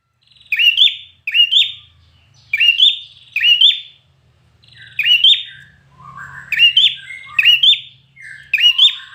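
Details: Red-whiskered bulbul trained for singing contests, delivering a rapid series of about nine punchy whistled phrases, some slightly lower and slurred in the second half, over a faint low background hum.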